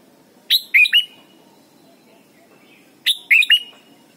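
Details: Red-whiskered bulbul singing to teach young birds: two matching three-note whistled phrases, sweet and slurred, spaced about two and a half seconds apart, over a low steady hum.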